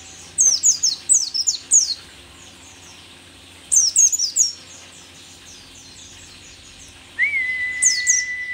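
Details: Rare Merapi mountain white-eye, still singing keenly in old age: fast runs of thin, high, stepping-down chirps in two bursts, then a steady whistled tone at the end.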